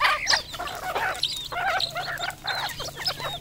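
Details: Farm-kept red junglefowl in Cambodia giving a quick run of loud clucking and chattering notes, with higher thin whistles scattered among them and a steady low hum beneath.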